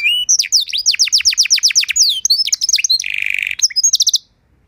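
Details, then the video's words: Canary singing a training song, called masteran in Indonesia: a short whistle, then a long series of rapid downslurred notes, a lower buzzy roll, and a brief high trill before stopping. "Masteran dan Pancingan Burung Kenari Biar Punya Lagu Mewah!"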